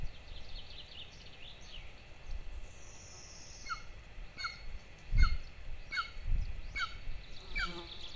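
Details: Two Golden eagle chicks at breakfast time on a nest-camera nest in Lahemaa, northern Estonia, 22 June 2024, give thin, high, downslurred chirps about every second, over a steady low rumble of wind and background noise.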